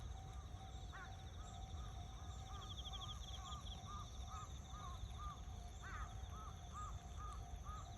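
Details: An azure-winged magpie (Cyanopica cyanus), on 1 September 2021, gives a rapid run of short, arched mid-pitched notes, about three per second, over steady insect drones and low rumbling background noise.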